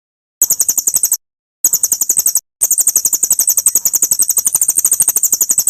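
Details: Masteran material of murai (magpie-robin) song for cage birds: three stretches of rapid, sharp, high-pitched repeated notes with brief silences between them.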